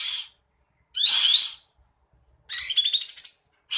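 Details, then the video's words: Cream-vented bulbul in full song with its tail fanned open: a rising whistled slur, then after a pause a rapid chattering phrase that climbs into a thin sweeping whistle, in a quiet setting. "Kapas Tembak Gacor Buka Ekor Ngipas2"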